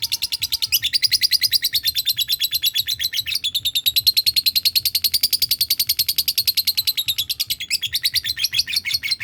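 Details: Pet lovebird producing a long ngekek, a continuous fast rattling trill of shrill notes lasting over nine seconds with a brief pitch dip in the middle, prompted by other lovebirds calling.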